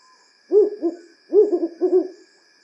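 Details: African wood owls (Strix woodfordii), nocturnal forest and woodland birds, give repeated low, rhythmic WHU-hu, WHU-hu-hu hoots in quick bouncing groups of two or three, over a faint steady insect-like hum.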